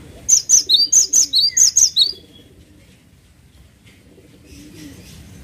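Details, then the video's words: Energetic song of the gelatik watu, or cinereous tit: one two-second bout of eight or nine ringing, high two-part notes dropping in pitch, followed by quiet with soft background hiss. "GELATIK WATU GACOR"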